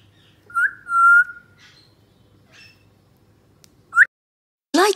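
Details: Tame grey parrot chick about nine months old, indoors in Karachi, Pakistan: a long clear whistle with a short rising whistle, then a harsh burst near the end, with quiet gaps between.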